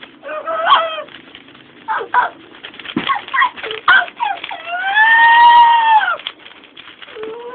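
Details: Pet female Amazon parrot indoors imitating sirens, brakes, dogs and monsters: harmonic wails, a long arching siren-like tone near the end, and short rasping bursts, loud and varied.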